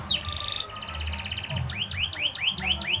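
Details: Canary lure song used to stimulate other canaries to sing: a falling whistle, then a steady buzzy trill, then a fast run of rising, chirping notes repeated about twice a second.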